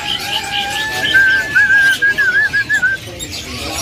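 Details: A drongo offered for sale at a bird market kiosk, described as well kept, loud and calling constantly, sings a run of quick, wavy whistled notes in short bursts over market chatter.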